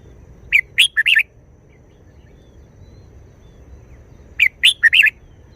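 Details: Red-whiskered bulbul showing off its short wild-style song: two brisk phrases of four bubbly, whistled notes about four seconds apart, the notes rising and dipping, with a faint low hum in the background.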